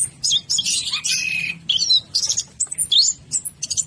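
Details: Orange-headed thrush, one of ten caged birds singing vigorously: dense rich warbling phrases with buzzy mimicked notes and sharp chirps, a long bright burst followed by shorter broken phrases, low hum beneath.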